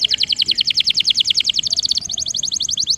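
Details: Rolling canary song meant to coax a lazy canary into singing: a fast, even train of short downward-swept whistled notes, about ten per second, shifting to a slightly higher, crisper repeated note near the end.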